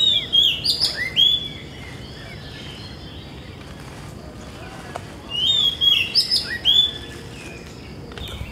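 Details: Oriental magpie-robin (Copsychus saularis) at a Bangkok temple in the morning, urban setting, sings two bursts of varied, sweet whistles with rising and falling slurs, separated by a pause of about four seconds, over a soft background hum.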